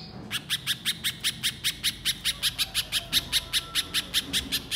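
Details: Little spiderhunter in energetic 'nembak' calling, used to get untrained birds calling quickly: a steady rattle of clipped, high-pitched chips at about four per second, beginning after a short gap.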